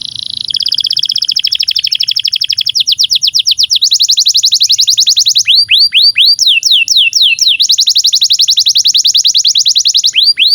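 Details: Canary in long, vigorous song, a master recording for teaching young canaries and silent birds to sing: fast rolling trills of sweeping high notes, shifting between tours of slurred downward notes and buzzy rapid rolls, nearly continuous.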